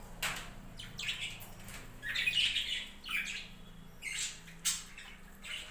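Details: Budgerigars in a home budgie farm; a busy run of scratchy chirps and squawks comes in bursts across several seconds, with wing flutters and a low hum behind.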